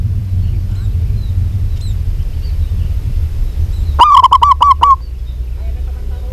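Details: A single burst of rapid, clipped cooing notes from a local zebra dove, a female calling a male, arriving after several seconds of low rumbling background with faint distant chirps.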